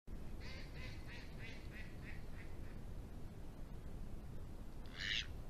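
A Mallard gives a run of about eight nasal quacks, quick and fading in strength, then one louder harsh quack after a pause, over a steady low rumble.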